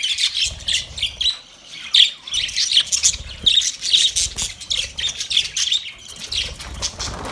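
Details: Budgerigars kept in a cage give busy, high-pitched chirps and scratchy squawks in quick, uneven bursts, with many birds overlapping.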